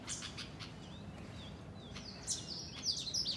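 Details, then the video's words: House sparrows, part of a flock in a garden. A brief burst of quick, high chirps grows louder and busier toward the end, over faint background hum. "Chirping Sparrows"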